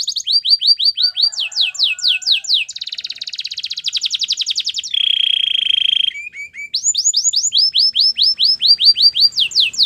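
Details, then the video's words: Singing canary delivering varied tours: sharp downslurred whistles repeated in series, a dense buzzy trill, a flat high rattle, then more quick descending notes. "Canary bird sounds at it best"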